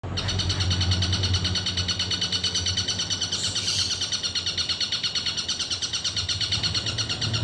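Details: Long-tailed shrike in a long sustained burst of song, a rapid steady stream of harsh buzzy notes pulsing about three times a second without a break, with a low hum underneath.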